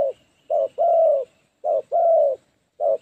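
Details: Spotted dove acting as a lure bird for catching wild doves in the 'phá lúa' manner; low short-then-long coo pairs, about one per second, with a thin high tone in the background.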